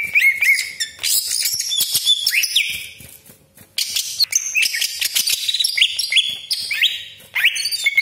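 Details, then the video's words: Greater green leafbird singing a long, forceful rolling song with harsh 'besetan' rasps and sharp shots, used to stir other leafbirds. Bursts of rising whistles and dense chatter, a short pause, then renewed loud phrases. "CUCAK IJO GACOR DOR TEMBAKAN TAJAM BESETAN KASAR ROLL PANJANG FULL ISIAN"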